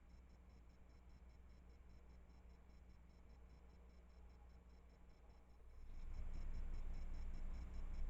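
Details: Steady low electrical hum with faint tonal whine and room noise, growing louder near the end; no animal voice.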